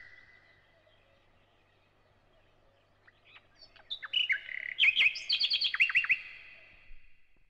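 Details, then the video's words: Thrush nightingale song: after a faint steady whistle and quiet gap, a burst of sharp clicks and quick, varied whistled notes jumping up and down in pitch, fading out within about three seconds. "Nightingale (Luscinia luscinia)"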